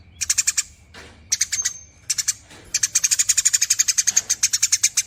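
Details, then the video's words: Eurasian tree sparrow in long nyerecet chatter: bursts of sharp, high, rapidly repeated chirps, the last series running steadily for about two seconds, with short pauses between bursts. "BURUNG GEREJA GACOR NYERECET PANJANG"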